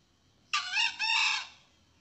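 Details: A male red junglefowl, recorded as a lure call for hunting, gives one short, harsh crow, clipped and broken into two quick parts, lasting under a second against a quiet background.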